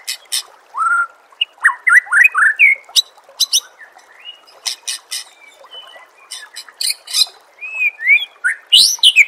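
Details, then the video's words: White-rumped shama singing for contest-bird training, a busy varied sequence of slurred whistles, upward sweeps and sharp high clicks and chips, repeated in quick bursts with short pauses. "Suara Masteran Murai Batu Gacor – Bikin Mental Petarung dan Siap Juara di Gantangan"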